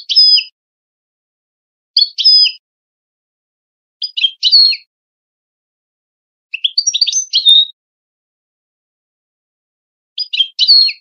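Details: European goldfinch song in the Wedani style, used for tutoring young goldfinches and hybrids for singing contests: short bursts of high, chattering twittered notes repeat about every two seconds over a clean, silent background.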